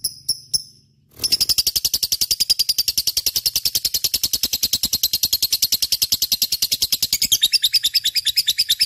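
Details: 'Gacor' lovebird, a lively singer used to prompt other birds: a few opening chips, then a long, unbroken fast chatter of shrill, grating notes, roughly three per second.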